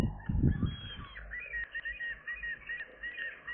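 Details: Young gulls now airborne on fledging day, 7 July 2022: after a burst of low rumbling, steady arched squealing notes follow at an even beat, about three per second, thin and slightly hoarse.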